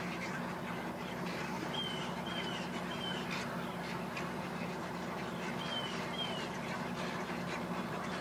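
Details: Egrets arriving by the thousands to roost make an unbroken mass of rough, grating calls. Several thin, high, downward-slurred whistles from another bird cut through, with a low droning hum beneath.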